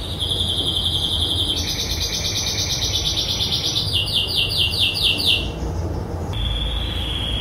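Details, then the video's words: Happy white dominant canary in song, 2019, delivering fast rolling trills in blocks that shift pitch every second or two, a sharp stuttering phrase near five seconds, then a thin sustained whistle. "White dominant canary singing"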